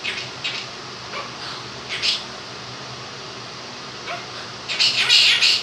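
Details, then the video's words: Indoor pet Quaker parrot, male, two years old, which mimics phrases and the nursery song 'If You're Happy and You Know It'; scattered short chirpy syllables, ending in a louder, longer jumbled burst, against steady fan noise. "Quaker Parrot sings 'Happy And You Know It'"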